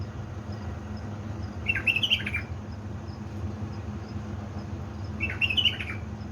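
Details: Kept bulbul of Diyala stock, Baladruz, at three in the morning, 19 August 2020, giving two brief chattering warbles about three seconds apart against a constant low electrical hum.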